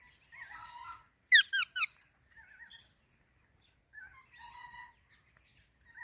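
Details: Soft, warbling chatter of a female Alexandrine parakeet, with a quick burst of three bright, sharp chirps, wavering squeaky notes and quiet mumbled calls between.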